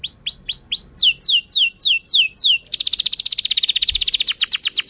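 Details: Long-singing canary, played to stimulate young learning canaries and stalled canaries to sing: evenly spaced arching whistles, then a series of descending sweeps, then a dense rapid rattling trill near the end.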